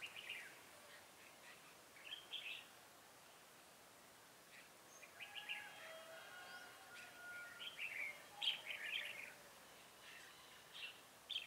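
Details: Red-whiskered bulbul used as a trapping decoy, recorded 7 January 2018, singing to lure wild bulbuls: short warbled, bright phrases in bursts with pauses, slightly lower drawn notes in between, faint background hiss.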